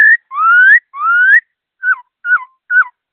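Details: Fast, clear laughingthrush song: two long rising whistles followed by three short, bent downslurred notes about half a second apart, in a quiet setting.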